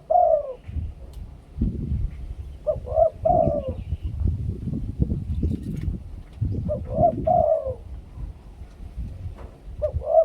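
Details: Spotted dove singing the 2 kuk khu-ang competition song style: phrases of low, mellow cooing notes that start with short clipped coos and end in a longer drawn coo, repeated several times over a steady low rumble.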